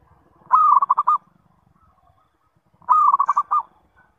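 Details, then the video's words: Two matching lure phrases from a zebra dove, used to draw replies from other zebra doves, each a low sustained coo rolling into five or six quick, evenly throbbing notes, about two seconds apart over a faint low hum. "SUARA PANGGILAN PERKUTUT - PANCINGAN SEMUA JENIS PERKUTUT"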